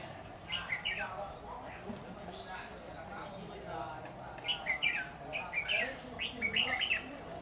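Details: Red-whiskered bulbul used as a decoy bird during trapping, recorded 10 September 2019: scattered short chirps early, then a run of quick warbled, whistled phrases in bursts during the last three seconds over steady low background hum.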